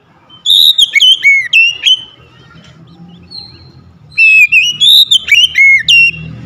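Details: Caged Oriental magpie-robin at home giving two loud bursts of melodious whistled phrases with swooping down-slurs, separated by a quiet stretch with faint low background noise.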